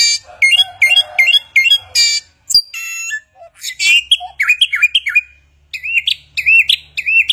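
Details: Imitation-rich song of a Chinese hwamei: a run of five bright, repeated chirping notes, a sharp click, then buzzy ringing notes and looping whistled phrases that end in a series of repeated upturned whistles.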